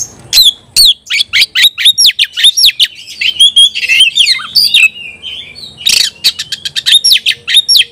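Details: Oriental magpie-robin in full song, called ngobra konslet style, firing at a rival in a contest: rapid, varied whistles and sharp chips tumbling over each other, bright rising and falling notes with brief buzzy bursts.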